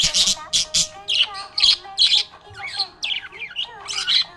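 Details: Budgie in a happy mood, chirping nonstop. Rough, buzzy chirps and warbled squawks come in quick bursts about every half second, some notes bending up or down. A faint steady tone hums beneath.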